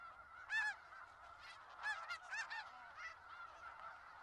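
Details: Snow geese flock in Skagit Valley; several clear, loud nasal honks, some doubled, ring out over a softer background of many more geese calling.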